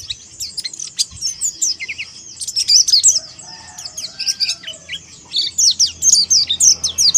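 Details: Oriental white-eye song aimed at challenging a rival: fast, very high chirps and slurred whistles tumbling together in energetic bursts, a brief quieter gap midway, then renewed vigorous twittering.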